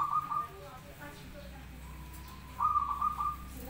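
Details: Zebra dove (perkutut), local birds singing in a voice contest: a trilled, warbling coo held near one pitch opens, a softer steady note follows, then another bubbling trilled phrase returns after a pause, over a low background hum.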